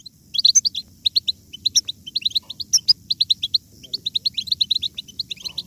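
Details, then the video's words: European goldfinch giving batbata, a twittering style used to stimulate other goldfinches to sing strongly: rapid runs of bright, clipped high chirps and buzzy notes, some short pauses, with a faint low rumble beneath. "بتبتة الحسون ~ بتبتة جيدة لجعل الحسون يغرد بقوة !"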